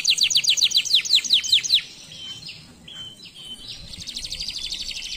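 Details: Canary singing a row of about ten quick downward-sweeping notes, each high and sharp, then a softer, fast buzzy trill with brief whistled fragments.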